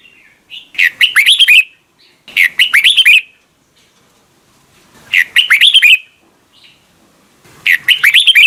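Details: Morning song of a red-whiskered bulbul in a mature wild-bird, double-note style. Four bright, fluty, warbled phrases, each under a second long, come at irregular intervals of about one and a half to two and a half seconds.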